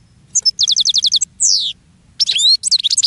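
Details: Goldfinch singing from a cage to lure other goldfinches: a rapid metallic rattle, a long descending buzzy note, then a lively tumble of twittering notes over faint low noise.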